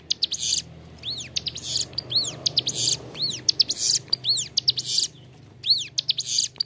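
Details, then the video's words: Ciblek gunung, the bar-winged prinia, in lively song for training caged birds: repeated curved whistles interleaved with harsh buzzing bursts and clicks, over a low background hum. "Ciblek gunung gacor suara jernih, cocok buat masteran"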